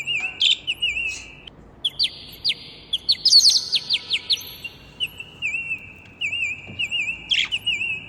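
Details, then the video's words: Two parrots at home sing and talk together, trading long level whistles and wavering warbles, with clipped chirps and rising slurs breaking in; high, clear and busy throughout. "2 Süße Papageien Singen Zusammen"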